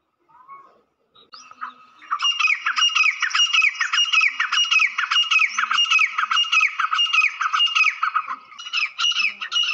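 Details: Black francolin calling mix played to excite the bird: after faint opening notes, a sustained run of harsh, rhythmic grating phrases repeats rapidly, almost two per second, for many seconds without pause.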